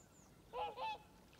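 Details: Swans greeting the rising sun with their call, heard as a pair of clear, nasal, trumpet-like honks in quick succession, each about a quarter second long, over faint ambient hiss.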